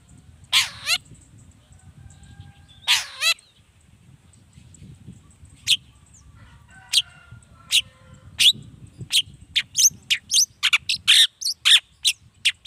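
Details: Long-tailed shrike in full voice, played to make other shrikes answer; two long harsh grating notes open, then a pause, then an accelerating run of short sharp ticks and chips toward the end.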